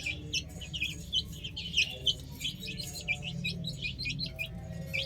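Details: Playing chicks on a roof keep up rapid, scattered high peeps, some louder notes standing out among quieter ones, over a steady deep hum.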